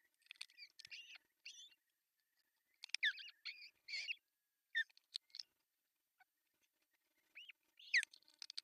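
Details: At a Finnish osprey nest in Pohjois Satakunta on June 10, 2024, where the male delivers a big fish for breakfast, bursts of high chattering chirps and downslurred whistles come in irregular clusters.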